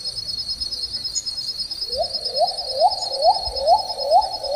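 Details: A shy little cuckoo-dove in shaded forest gives a fast series of short, hollow, upslurred notes, about two each second, over a steady high-pitched insect drone.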